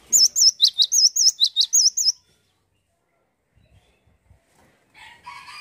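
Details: Cinereous tit in full song: a fast run of high, wavy whistled notes alternating with sharp dropping notes, repeated in pairs for about two seconds, then quiet with faint background sounds.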